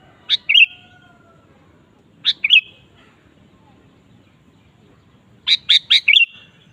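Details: Sooty-headed bulbul in lively singing form, a lure to make a kept bulbul sing: three short phrases, each a sharp high note then a quick liquid warbled flourish, the last phrase opening with several rapid notes; faint low background rumble.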